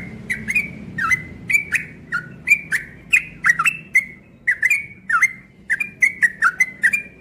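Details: Kept cream-vented bulbul (trucukan ropel) put outdoors in the morning gives a steady series of brief, clipped whistled notes, some dipping and some rising, about two a second, over a faint low hum.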